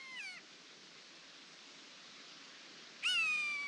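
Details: Common buzzard heard on a misty September 2025 morning at a woodland water pool, giving two downward-sliding, cat-like mewing calls: a short one, then a longer, clearer one three seconds later, faint hiss between.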